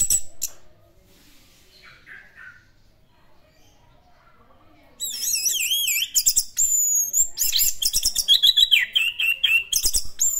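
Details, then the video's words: Orange-headed thrush, locally anis merah, in classic-style song. After a quiet start with faint notes, a loud run of looping, wavering whistles and sharp chirps takes over, repeated quickly. "BURUNG ANIS MERAH GACOR GAYA KLASIK"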